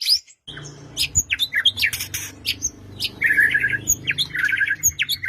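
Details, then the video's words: White-rumped shama song used to provoke a quiet bird into singing, for morning or evening: varied whistled notes and sharp chips, then rapid warbled trills repeated near the end, with a faint low hum indoors. "Murai Batu Diam Dengar Kicauan ini Seketika Langsung Nyaut GACOR"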